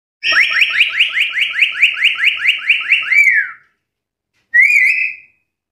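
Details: Black-capped lory, loud and active, challenging rivals: a rapid run of about thirteen shrill, rising whistled notes in quick succession, ending in a drawn-out descending squeal; after a pause, one more sharp whistled note.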